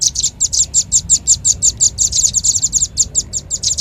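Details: Lure call of the red-billed leiothrix: an unbroken series of high, thin, sharp chirps, roughly five per second, with a clipped and slightly buzzy sound. A quiet low rumble runs beneath.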